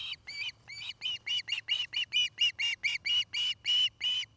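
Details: Osprey at a nest cam in Charlo, Montana, where a nest-building pair live, recorded in the afternoon; about eighteen short, harmonic, whistled chirps follow in a fast, steady series with a faint low hum beneath.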